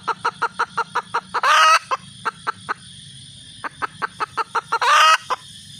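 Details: Calling red junglefowl hen gives quick runs of clipped clucks, each run capped by a loud, rasping, drawn-out squawk, then a pause before the clucking resumes.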